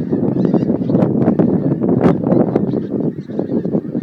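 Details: Geese leaving Montrose Basin to feed on 12 January 2011 give a loud, jumbled mass of honks and harsher calls, closely packed throughout.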